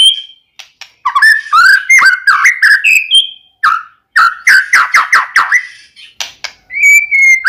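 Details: White-rumped shama (murai batu) song meant as a lure to make another shama sing: bursts of rich whistled notes and quick chattering chips, with brief pauses between phrases and a long level whistle near the end.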